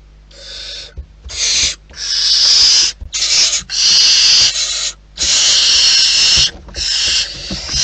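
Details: Wild barn owls at their nest: harsh, breathy hissing screeches in long bursts of about a second each, separated by short quiet gaps, with faint low rumbling between the bursts.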